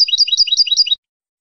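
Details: Short burst of clean European goldfinch song from Casablanca, Morocco: a fast, regular rattle of paired high notes repeating about five times in under a second, then silence.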